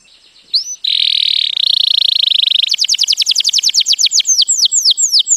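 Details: Canary song meant for teaching chicks: after a faint start and one rising note, a loud continuous buzzy trill gives way to rapid falling whistles that slow into spaced swooping notes.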